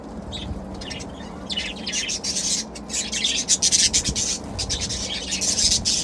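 Budgerigars chatter in rapid, scratchy chirps and warbles with a steady low hum behind.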